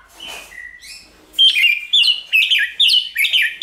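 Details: White-rumped shama training song: soft whistled notes, then a fast series of loud, rich whistled phrases repeated about twice a second.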